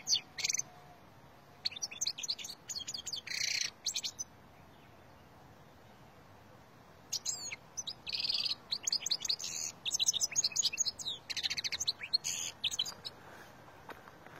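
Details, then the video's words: Song of a wild Algerian European goldfinch, 2020: bursts of fast high twittering and nasal buzzy phrases, separated by a silent pause of about three seconds, then a longer rambling outpouring. "تغريد الحسون الخلوي الجزائري"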